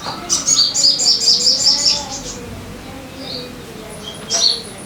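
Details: Sogon song used as a lure to get caged birds singing: a fast run of high, bright chirps repeated about two and a half per second for two seconds, then a short pause and a final sharp note.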